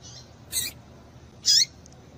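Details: Female double-collared seedeater calling to excite a male: two short, sharp high chirps, each sliding down at the end, about a second apart, over a faint steady hiss.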